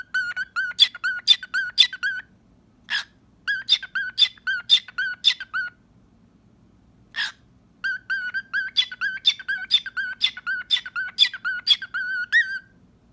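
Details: A pet cockatiel makes kissing sounds and whistles, giving bursts of rapid, squeaky whistled notes with short pauses between phrases.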